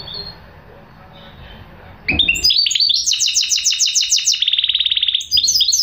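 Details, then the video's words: After two seconds of quiet background hum, a goldfinch hybrid bursts into song: rapid, evenly repeated high chirps followed by a sustained trilled run, loud and clear to the end. "chant mulet de chardonneret"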